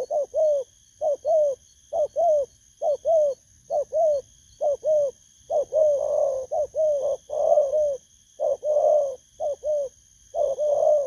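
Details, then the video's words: Wild-caught spotted dove's 'bầu' lure coo from 19 August 2024; a long run of evenly paced double coos, soft and falling, later mixed with longer buzzy rolled notes, about one per second, steady faint high tones behind. "Kèo Thu phục Thổ cấn Bầu"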